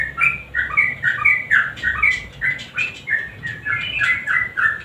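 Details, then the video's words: Sooty-headed bulbul in lively 'nguklik' style song, mixed with a 'garuda' sound, played as a lure to get silent birds singing: short clear whistled phrases, alternating slightly higher and lower notes, repeated about twice a second over faint background hiss. "Trucukan GACOR NGUKLIK kombinasi GARUDA yang BISU pasti IKUTan bunyi"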